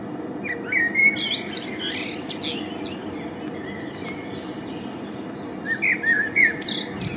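A male blackbird sings two mellow, fluty warbled phrases about five seconds apart, over steady background hiss and faint higher chirps from other birds.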